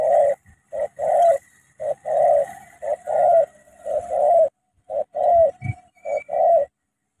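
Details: Spotted dove from Cà Mau, Vietnam, a decoy bird meeting a wild bird. Rapid, steady mid-pitched coos repeat about once a second, some doubled or overlapping, with a faint higher whistle near the end.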